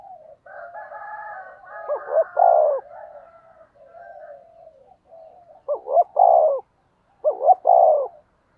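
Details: Spotted dove used as a decoy to lure wild birds, cooing in a voice duel: soft warbling murmurs first, then three deep phrases of stuttered notes and a falling coo, with a faint higher tone alongside.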